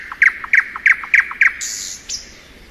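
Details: Thrush nightingale in spring delivering five hard, rattling notes at even spacing, followed by a high hissing buzz and a thin trailing whistle.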